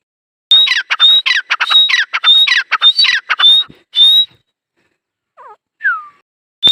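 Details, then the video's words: Rasping, rhythmic dakhni teetar partridge call for about four seconds, whistled high notes riding over buzzy bursts; afterwards a brief soft chirp and a downslurred whistle from another bird, then a last note. "Teetar colling | dakhni teetar Awaz | Teetar partridge sound"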